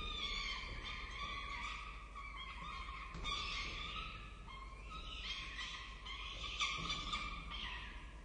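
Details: Peregrine falcon chicks at a nest on a university campus in Orange, Australia, being fed by their parents: overlapping, drawn-out, strained wailing cries with bright harmonics, run together almost without pause.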